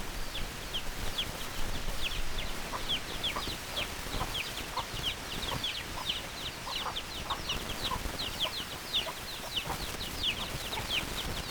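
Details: Chickens, with many overlapping high, short, downward-slurred peeps repeating rapidly throughout, some lower short notes mixed in, and a steady background hiss.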